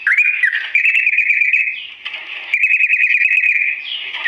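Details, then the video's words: Slow ropel song of a sooty-headed bulbul, a tutor recording: fast trilled, fluttering whistles run almost unbroken at one pitch band, with a brief lower dip midway and a rising note near the end. "TRUCUK GACOR ROPEL PANJANG NADA PELAN"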